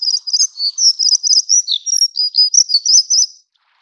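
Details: Taiwan's endemic subspecies of plumbeous redstart, found along mountain streams: a fast, thin, metallic twittering phrase of clustered trills and down-slurred notes lasting about three and a half seconds, then stopping.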